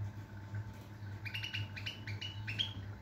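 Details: European goldfinch song recorded 22 September 2023: after a quiet start, a short run of bright, rapid tinkling notes rises and ends on a thin whistle, over a steady low electrical hum.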